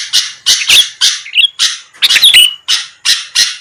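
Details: Sooty-headed bulbul lure for drawing out rival birds: spaced scratchy bursts with a clear, level whistled note near the middle and another trailing whistle after a rough chattering cluster.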